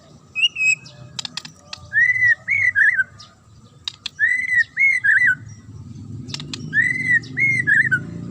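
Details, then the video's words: Sharp Murai (magpie-robin) song used to provoke other birds into answering: a clear whistled phrase of rising and falling notes repeated about every two and a half seconds, mixed with short dry clicks and a low background rumble. "DIJAMIN Langsung NYAUT dan NGAMUK Pake Suara TAJAM Murai ini"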